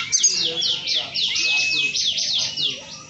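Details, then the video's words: Oriental magpie-robin lacking wing and tail feathers, still in full song: a quick series of sharp downslurred high notes repeated about four times a second over a steady thin whistle, with faint background murmur. "KACER TANPA BULU SAYAP DAN EKOR TETAP GACOR"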